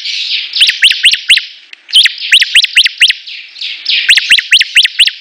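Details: Bar-winged prinia (ciblek) song from competing birds: bursts of sharp, rising, whip-like notes, four to six in quick succession, separated by brief buzzy rasping passages and short pauses.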